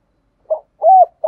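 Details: Spotted dove with a prized 'giọng thổ' voice, its cooing used as a lure call to draw wild doves in. A short hollow note is followed by a longer, smoothly arched coo, then the start of a third note, with no other sounds.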